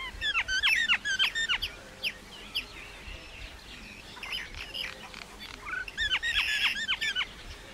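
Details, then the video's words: Common myna, also called Indian myna, singing: bursts of fast descending chirps and whistles, a quieter scattered middle section of single notes, then another dense rattle of chirps near the end. "Common myna bird song /Indian maina sound /mynah singing"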